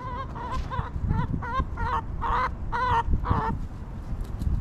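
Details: Backyard hens clucking while relaxing in their coop: a run of about eight short, nasal, harmonic clucks, each slightly wavering and spaced roughly half a second apart, over a low rumbling background.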